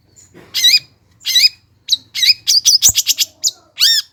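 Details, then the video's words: Long-tailed shrike song meant to coax silent birds into singing: wavering, warbled high notes, then a quick stutter of rapid chips and a final wobbling whistle. "PANCINGAN CENDET MALAS BUNYI AGAR GACOR BONGKAR ISIAN"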